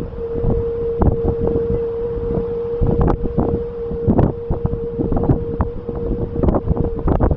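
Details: Heavy gusty wind buffets the microphone over a steady mid-pitched hum, with no animal calls heard.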